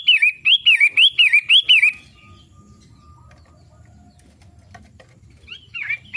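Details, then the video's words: A long-tailed shrike sings its daily song, a run of about seven rapid up-and-down whistled notes, then a long pause with low background hum before a couple of scratchy notes return. "Kicau harian Pentet matahari?"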